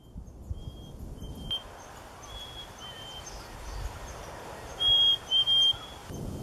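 Black-capped Chickadee giving its clear whistled two-note song, a higher pure note then a slightly lower one, 'fee-bee', over a soft steady hiss.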